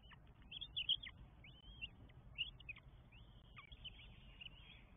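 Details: Four northern goshawk chicks being fed at their nest in Estonia, 24 May 2022: thin, high piping calls, some drawn out and slurred, others short and abrupt, scattered unevenly against a low constant hum.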